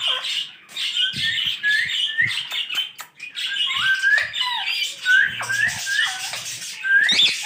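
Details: Green parrots talking, the words given as "mitho mitho"; a lively stream of squawks and short rising whistled notes that overlap, with faint knocks in the background.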